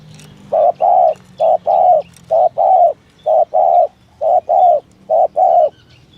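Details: Spotted dove giving the 'thổ thúc gù' cooing call used to lure doves: low hollow coos in short-then-long pairs, about five pairs repeated roughly once per second, over a faint low hum.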